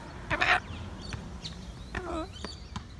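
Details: A tame sulphur-crested cockatoo at a park in Santa Barbara, perched on a person's hand, gives a harsh, raspy screech, then a few short, hoarse, voice-like talking syllables, followed by clicks.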